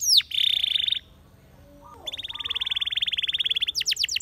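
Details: Spanish Timbrado canary producing a dense, buzzy rolling trill, a short pause with faint softer calls, then a long rapid rattling roll of repeated pulses and a few sweeping notes at the end.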